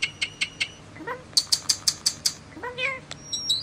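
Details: Common starling song built from steady clicking ticks, a burst of bright high pips, and two rising nasal wailing notes among whistles.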